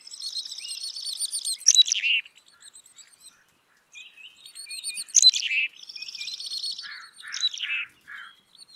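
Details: Black-capped chickadee giving buzzy, harsh dee notes in quick bursts, followed by short descending high chips, in two phrases separated by a brief pause.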